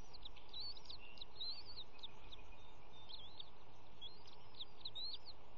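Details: Bald eagle family at the nest during an early morning feeding of three eaglets, March 18, 2018, camera above a pond; sharp, high peeping chirps in bursts of several notes, some louder and slurred, with a steady dull rumble beneath.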